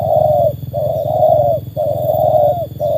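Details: Spotted Dove, a trained bird tested against wild doves, giving loud mellow coos in quick succession, short notes followed by long sustained ones, over a strong low droning hum.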